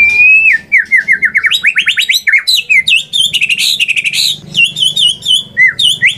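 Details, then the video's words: White-rumped shama (murai batu) pouring out continuous song meant to stir a silent bird: high whistles, quick descending note runs and chattering rolls in an unbroken varied stream. "murai batu macet bunyi ikut terpancing emosi langsung gacor"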